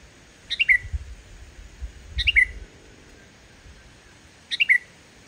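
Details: Sooty-headed bulbul song with no added phrases, used to lure reluctant bulbuls: three crisp falling three-note phrases spaced about two seconds apart, with soft low rumbling noise underneath.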